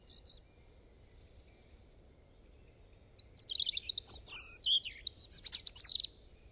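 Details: Song of a European robin, a brief high whistle followed after a pause by a tumbling run of thin, liquid warbles and trills that rise and fall in pitch, over quiet background.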